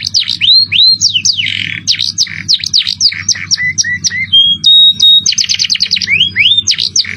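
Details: A canary's 'cengkok mewah' song: curving whistled upslurs, scratchy bursts and quick repeated V-notes, a short level whistle, then a fast chip series and more rising slurs, steady low hum behind.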